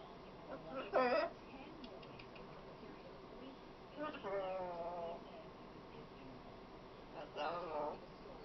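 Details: Chatty female pet macaw producing speech-like vocal phrases: a loud sharp burst, then a longer warbling, wavering utterance with several harmonic bands, and a final wobbling phrase. Low background hum throughout.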